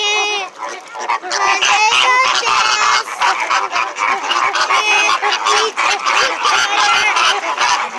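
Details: Captive flamingos at SeaWorld, very loud that day. A dense chorus of nasal, goose-like honks overlaps almost continuously, with rapid, uneven bursts and several birds calling at once.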